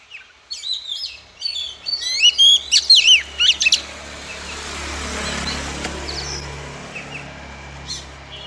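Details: Female Oriental magpie-robin singing to rouse males into song: a brief run of high, twisting whistled notes and sharp chirps in the first half, then fading into steady hiss and low background hum.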